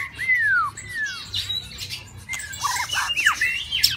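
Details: Caged White-rumped shama singing in the mating season: long clear whistles sliding downward, then a burst of varied sharp, rising and falling notes with some harsher squawky phrases.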